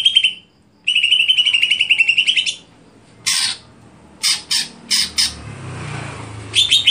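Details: Greater green leafbird in its stelan song style: a long, rapid trilled phrase of repeated notes, a pause, then separate loud buzzy bursts and sharp chirps, with a faint low hum beneath.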